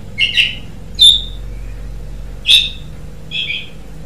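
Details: Asian pied starling giving four separate short whistled notes, about a second apart, some slightly buzzy, over a steady low hum.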